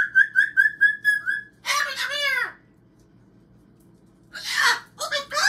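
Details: Pet cockatoo indoors saying hello: a quick run of bright whistled notes, then a raspy, harmonic talking voice, a silent pause, and finally harsh, noisy screeching bursts.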